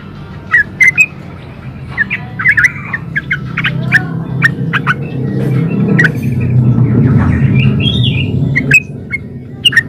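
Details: Yellow-vented bulbul in a chatty, rapid-fire ropel style, used as a lure to draw other bulbuls into answering and singing: scattered bubbly, chirping notes and short squawks over a steady low rumble, with sharp clicks throughout.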